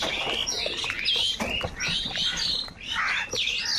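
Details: Crows squabbling and fighting over food, giving a rush of harsh, overlapping caws and squawks with higher chirping notes mixed in.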